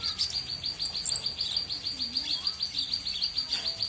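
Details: A small bird gives a fast, even series of high, clipped notes, about three per second, sustained throughout with a steady pulsing rhythm.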